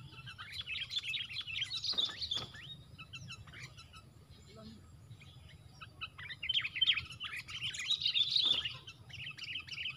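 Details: Sooty-headed bulbuls in a fight, one fighter bird against four: two bursts of rapid, harsh, bubbly chattering notes, each lasting about a second, separated by quieter scattered chirps and a low background rumble.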